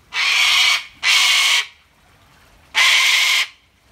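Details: An angry cockatoo in Sydney, New South Wales, in September 2019, shouts at a kookaburra that ignores it: three harsh, raspy screeches under a second each, two in quick succession and a third after a pause.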